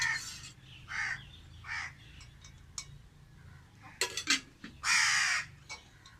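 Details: Lone crow calling from a tree, with a series of short, hoarse caws, then a louder, drawn-out harsh caw near the end, alongside brief clinking sounds.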